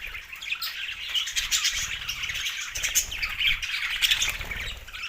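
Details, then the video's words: Budgerigar chorus of continuous high twittering and squawky chirps, with soft low rumbling in the background. "Budgies parrot best chirping sounds"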